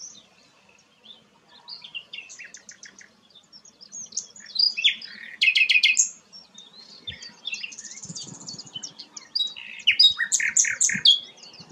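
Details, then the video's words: Energetic song of a flycatcher called sikatan londo. Jumbled high chirps and squeaks run continuously, broken by a loud buzzy burst, with more bright note groups toward the end and faint low rustling beneath. "burung sikatan londo gacor"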